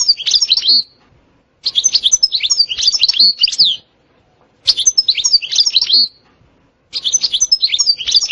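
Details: European goldfinch twittering in the 'setsta' and 'batbata' song styles: four spaced bursts of bright, high, tumbling notes with buzzy slurs, each lasting one to two seconds, with silent pauses between them.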